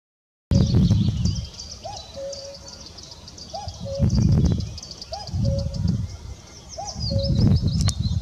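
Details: Common cuckoo giving its two-note cu-coo, the second note lower and longer. It repeats four times, roughly every 1.8 seconds, over high thin twittering from other birds and a low rumble that swells and fades.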